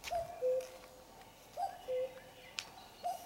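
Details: Common cuckoo suddenly starts singing at 5 a.m. on a Sunday while still dark, calling its soft, falling two-note cu-coo about every one and a half seconds, with a faint sharp click between calls.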